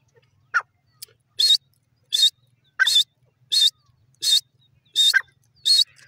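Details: Teetar, a francolin, calling repeatedly: strident buzzy notes about every three-quarters of a second, some paired with a shorter, lower squeak just before, over a quiet background.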